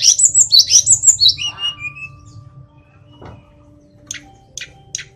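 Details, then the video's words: Tledekan gunung giving a quick run of high tumbling whistled notes that fade out, followed by near silence and three short sharp chips. "tledekan gunung biar cepat gacor"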